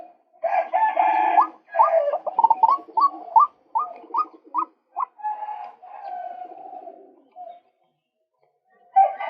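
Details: Male white-breasted waterhen calling in a bird-trapping lure recording: a harsh burst, then a rapid run of short upward-flicked notes, fading into a drawn-out croaking phrase before a final loud note.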